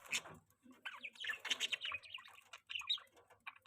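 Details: Pet budgerigars during mating, giving dense chattering chirps and warbles, rapid harsh and squeaky notes tumbling over each other with brief pauses, sounding like more than one bird.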